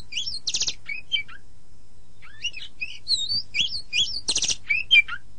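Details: Oriental magpie-robin master recording meant for training birds in the morning or evening: two harsh buzzy rasps framing varied whistled slurs and trills, with a quiet gap midway and faint hum.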